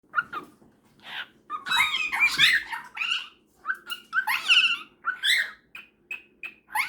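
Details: Cockatiel converses with a superb parrot before bedtime, the two talking to each other: irregular bursts of scratchy, warbling notes and short whistles, some rising, in quick uneven exchanges.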